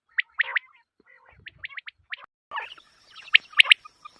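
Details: Quail calls used for hunting, given as short, sharp chirped notes repeated in quick bursts, then several overlapping callers in a busier cluster with a faint steady high tone behind.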